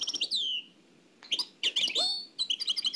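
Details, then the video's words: Nightingale song in the Oued El Alaiq style, transferred from an old cassette: a loud downslurred whistle, a pause, then clustered sharp chirps and ringing high notes over a low hiss. "تغريد واد العلايق"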